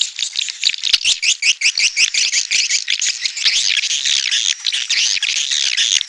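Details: Edible-nest swiftlet, of the red-nest type, in a calling recording: dense, rapid twittering chirps in a continuous chattering stream, high and buzzy, with overlapping notes repeated roughly every third of a second throughout.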